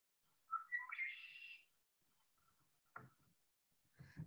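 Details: Red-winged Blackbird male in spring (April), in Illinois: a raspy conk-la-ree, two short clear notes rising into a buzzy trill about a second long, followed by a few soft knocks and rustles; the call is a sign of spring.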